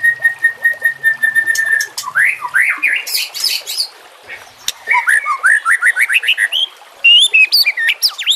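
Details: White-rumped shama song used as a tutor for other birds: a long level whistle over a low hum, then a rapid series of swooping whistled notes and high squeaky flourishes.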